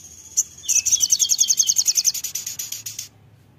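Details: Crimson sunbird (sogok ontong) singing energetically: one sharp note, then a very high, rapid chittering trill of about twenty notes over two seconds, with a quiet background.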